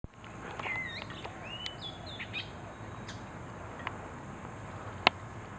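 An Oriental magpie-robin gives a few short, clear whistled notes and slurred chirps, mostly in the first two seconds, over a steady hiss of outdoor background noise.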